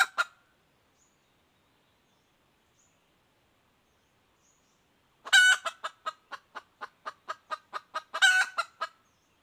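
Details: After a single sharp note and a long silence, a red junglefowl hen, recorded in 2021, bursts into a loud cackle, followed by a rapid string of clucks and a second loud cackle.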